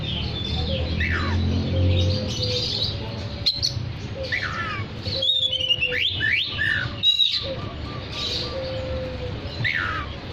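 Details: Oriental magpie-robin singing actively to draw in other magpie-robins, giving scattered sharp whistles, quick downslurred notes and brief chattering phrases, with a low steady hum and rumbling noise underneath.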